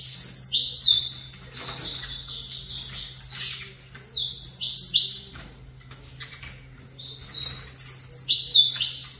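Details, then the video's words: High, dense chirping song from a saffron finch placed opposite another bird. Fast runs of downward-slurred notes swell loudly, fade briefly around the middle, then return, over a faint steady hum. "Canto Canário da Terra"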